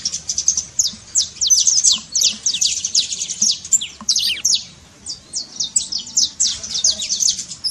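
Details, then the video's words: Saffron finch trill for firing up a quiet canary, a busy run of high, fast down-slurred notes with a brief pause near the middle before the trilling resumes. "trincado pra foguea seu canário frio"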